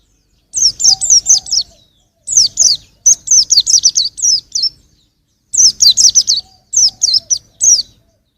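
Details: A young white-eye sings in long runs of fast, high, downslurred chirps, grouped in bursts with short pauses, a faint tonal hum in the background.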